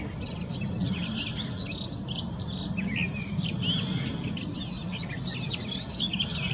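A Garden warbler sings a fast, unbroken stream of mellow, chattering warbles. A steady low rumble of background noise runs beneath it.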